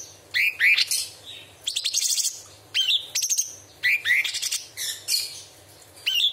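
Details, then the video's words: Straw-headed bulbul giving sharp tembakan song rich in mimicry of birds and insects: quick successions of rising whistles and short high rattles, closely spaced phrases throughout. "Cucak cungkok istimewa tembakan istimewa tajam beset materi full isian"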